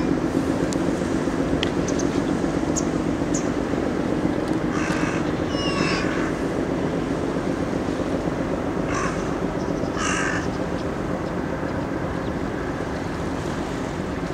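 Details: Harsh cawing from a carrion crow at play with a walnut comes in two short bursts, a pair of rasping caws then two more several seconds later, over constant loud rushing background noise.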